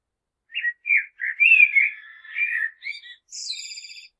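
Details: Common blackbird singing a phrase of rich, fluting whistled notes around the middle of its range, ending in a high, thin twittering flourish; no other sounds.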